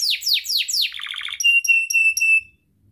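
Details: Atlantic canary lure song for getting canaries to sing: four loud descending sweeps, a quick stuttering trill, then a row of pure piercing whistled notes before falling silent.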